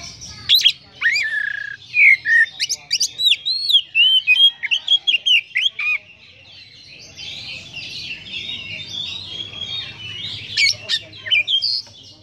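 An oriental magpie-robin sings a rich run of clear, varied whistles, sweeping notes and quick chirps.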